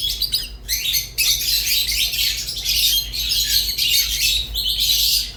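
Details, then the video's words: Rosy-faced and Fischer's lovebirds pour out loud, high, squeaky twittering with rapid chirps, almost continuous after a brief pause near one second, over a faint hum. "تغريد ولا أروع | روز و فيشر غندور بصوت ساحر وممتع"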